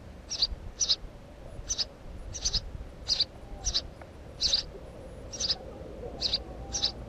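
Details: House sparrow calling with a quick series of ten sharp, high chirps, some paired closely, others spaced nearly a second apart, over quiet background noise.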